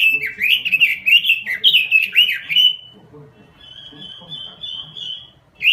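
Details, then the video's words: Robin in lively gacor song: a dense three-second stream of warbled, swooping notes, then a drawn-out thin whistle, then the song starts again at the end. Soft background rumble. "SUARA BURUNG ROBIN GACOR"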